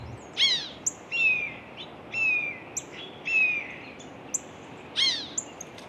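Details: A blue jay at a feeder mimics a female Cooper's hawk: five harsh, high, down-slurred screams about a second apart, with thin high notes between and a more distant red-shouldered hawk call beyond.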